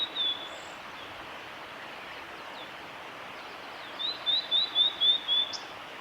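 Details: Singing male blue-and-white flycatcher, Kanazawa forest road by Lake Miyagase, Japan, April 2016: a brief note at the start, a long pause, then six rapid, evenly spaced high whistled downslurs ending in a sharp chip.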